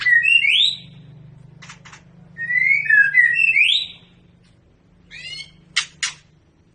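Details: Pairing long-tailed Medan white-rumped shamas for breeding: bursts of bright, slurred whistled notes separated by quiet gaps, with scattered short rattles and chips against a low background hum.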